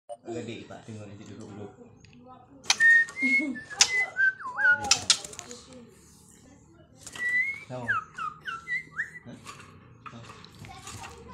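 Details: Young wild white-rumped shama from Cot Goh forest, Bireuen, Aceh, giving clear whistled phrases with sliding, bending notes in two bursts separated by a pause; low speech and knocking sounds run underneath.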